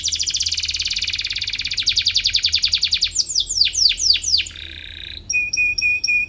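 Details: Canary singing in search of a rival, a tutor recording for young canaries. Dense high trill, then pulsed rolls and falling slurs, a short nasal buzz, and finally clear paired whistles on a steady pitch.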